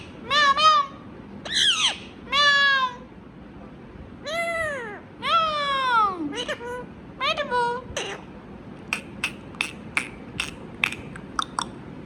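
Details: Talking Indian ringneck parrot producing a run of varied harmonic notes, some arched, some sliding downward, then a series of sharp rapid clicks in the final seconds, indoors with low background hum.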